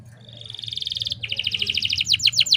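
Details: Canary hen lure to get males singing: a steady high buzzy trill, then rapid pulsed notes becoming sharper chirps, with faint low background hum.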